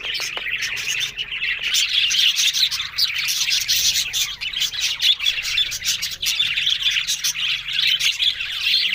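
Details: Several budgerigars recorded on October 1, chattering continuously in a dense, busy warble of high, scratchy chirps, squeaks and rapid twittering notes that overlap without pause.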